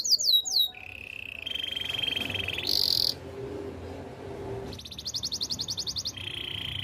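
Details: Canary song for training: a few quick swept notes, then sustained rolling tours at different pitches, a high piercing held note, and a rapid bright trill, over a faint low hum.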